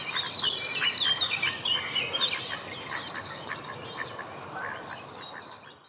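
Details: Mallard ducklings at Saarn-Mendener Ruhraue, Mülheim an der Ruhr, 9 June 2016, 09:00: high, thin peeps, several at once in a rapid overlapping stream of about four calls a second, with faint background noise.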